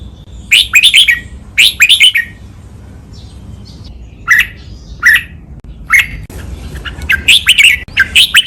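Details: Red-whiskered bulbul training song in the Thai double-phrase 'ber song nap dok' style, a 'lak wai' master song: two rapid warbled phrases, then a few single clear chirps spaced about a second apart, then a longer run of tumbling whistled notes.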